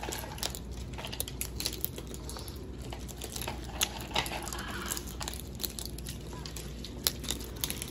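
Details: Crinkling, crackling and tapping handling noises indoors in a small room, with no animal voice heard.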